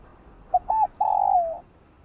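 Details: Morning song of a spotted dove for stimulating newly caught birds: a clipped opening note, a short even coo and a long drawn coo that dips lower as it fades, over faint hiss.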